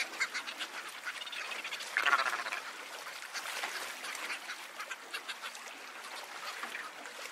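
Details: Cape petrel chorus, a steady wash of rough cackling and chirring notes from a crowd of birds, swelling briefly near the middle.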